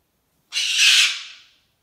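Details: A single harsh, noisy scream lasting about a second from a pet cockatoo in a hormonal temper tantrum.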